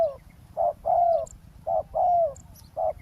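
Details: Spotted dove used for luring a wild dove during roadside ground trapping; soft low two-part coos, short then long and gently falling, repeated rhythmically with faint high ticks in the background.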